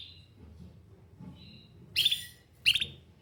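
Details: Canary giving faint high notes, then two short, loud, harsh chirp bursts about half a second apart near the end.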